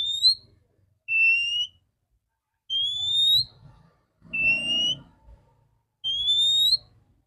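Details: Clear-voiced female Oriental magpie-robin used in the morning to rouse males: five drawn-out pure whistles alternating higher rising and lower level notes, roughly every one and a half seconds, over faint low rumbling.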